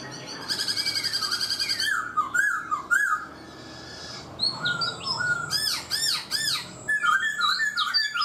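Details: A black-throated laughingthrush, caged four months, opens with a rapid high trill, then gives loud swooping whistles and clusters of sharp, sweeping notes separated by short pauses.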